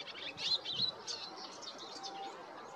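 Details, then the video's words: A European goldfinch gives spring song in the Golan Heights, Israel: a rapid, tinkling jumble of high twitters and liquid trills, bright and continuous, over faint background hiss. "חוחית - European goldfinch"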